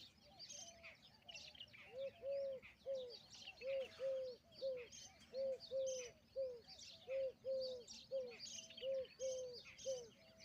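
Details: Indian peafowl peahen calling: a long, steady series of short, arched, mid-pitched notes, often in pairs, about every half second, over busy high chirping and twittering from small birds.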